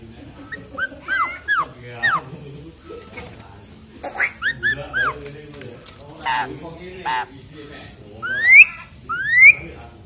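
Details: Asian pied starling kept singing loudly while being bathed, giving varied whistled phrases with short slurred notes and two sweeping rising whistles near the end. Voices are heard faintly.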